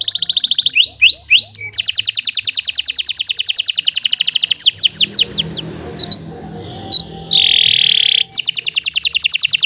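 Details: Kenari Nusantara canary in long continuous song used as master song for training: fast rolling trill and downslurred notes, then a quiet stretch with room noise and a harsh nasal note before the trill resumes.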